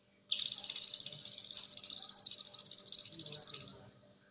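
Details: Blue-winged leafbird, locally cucak kinoi, delivering its konslet song for training other songbirds. A single sustained, very high, fast-pulsed buzzy trill runs over three seconds and fades out at the end.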